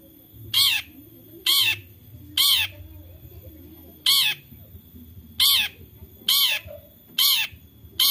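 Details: Long-tailed shrike in Central Java, Indonesia, phone-recorded as a lure for quiet shrikes: loud, scratchy rasping calls, each about a fifth of a second long, repeated at irregular one-second intervals, with faint low rumble behind.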